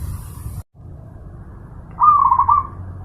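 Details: Zebra dove training master for pet birds: a brief silent gap, then one clear, fast, bubbling coo phrase of repeated pulsed notes, backed by a low rumble.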